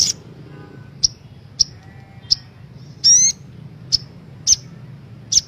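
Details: Female brown-throated sunbird call lure for caged birds: isolated sharp high chips roughly every half second, with one brief buzzy upward-sweeping note midway, over a low background hum.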